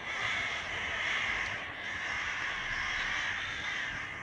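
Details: Crow flock gathered outside a window on a summer evening, calling loudly instead of staying silent: rough caws from many birds merge into a dense chorus with gentle rises and dips.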